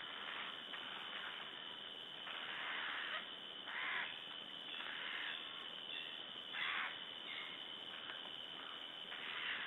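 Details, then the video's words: A Eurasian Jay in Latvia on 27 August 2012 gives harsh, raspy screeches in short bursts, roughly one every second or two, over a steady background hiss. "Jay making noise"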